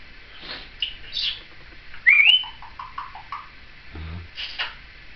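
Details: Indoor pet Timneh African grey parrot, a seven-year-old female, chattering with her caregiver in 2012: soft squeaks, a sharp rising whistle, then a run of quick low chirps, with a brief low human voice near the end.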